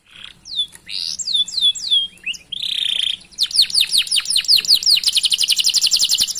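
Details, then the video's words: Canary song, a long chattering 'gacor' performance used to prompt other canaries to sing: descending whistled slurs, a steady buzzy trill, then rapid repeated chirps. "Masteran Suara Burung Kenari Gacor Panjang Cuit - Cuit Ngerol || Cocok Untuk Memancing Kenari Lain"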